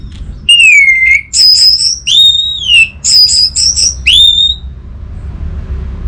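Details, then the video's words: Orange-headed thrush from North Bali, kept in a cage, sings loud, pure whistled phrases, some sliding downward, alternating with quick repeated high notes, in an otherwise quiet setting. "Siapa Sangka Burung ANIS MERAH Macetan Terpancing Gacor Didengarkan Kicauan Ini"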